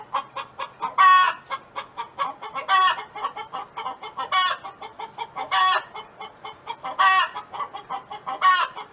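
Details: Farm hen song from next door, rapid soft clucks steadily repeated with loud, rasping squawks breaking in about every one and a half seconds.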